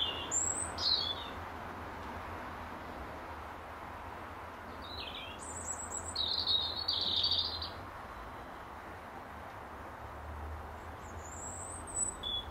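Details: European robin in an apple tree at dusk, singing to defend territory; several separate high, sweet phrases mix thin whistles with trilled, rapid notes, spaced by short pauses, over a soft low rumble.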